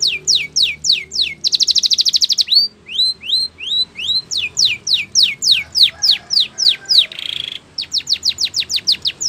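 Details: Spanish Timbrado canary training song: steady downward sweeps, a fast buzzy trill, rising slurred whistles, more sweeps in a regular rhythm, a brief roll and another quick sweep series.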